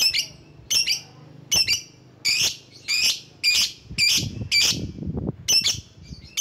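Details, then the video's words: Lovebird calling to draw rivals, used as a lure: a steady run of about nine harsh, shrill screeches, roughly one every 0.7 seconds, with soft low rumbling midway. "Burung LOVEBIRD Ampuh memanggil lawan"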